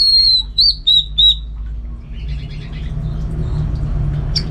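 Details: Orange-headed thrush, a caged contest bird from Singaraja in North Bali, gives three or four loud, sweet whistled notes. The song then fades into faint, scratchy twitters against a steady low background hum.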